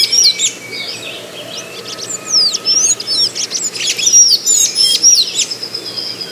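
Golden-chevroned Tanager song: a quick, jumbled run of thin, squeaky high notes and short slurred whistles, irregular in pace, over a faint steady hum.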